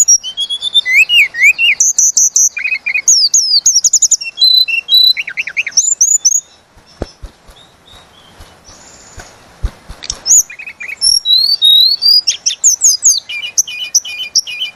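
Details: Javan cochoa in full, long rolling song used as a lure for champion songbirds: fast high whistles, trills and slurred notes, a quiet gap near the middle, then dense chirping phrases resume.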